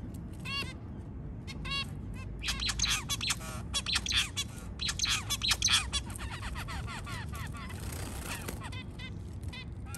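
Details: Early-morning white zebra finch giving spaced nasal beeps, then a denser burst of chattering notes midway, with a constant low rumble underneath.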